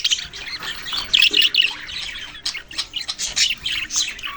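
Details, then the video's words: Budgies, young birds among them, giving short harsh squawks and chirps in quick separate bursts, several loud scratchy notes standing out over softer chatter. "parrot sounds and chirping sounds"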